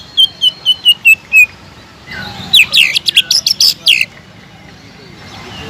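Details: Greater green leafbird, kept as a songbird, opens with six short descending whistles, pauses, then bursts into a rapid jumble of buzzy, high chattering notes before fading to quiet hiss.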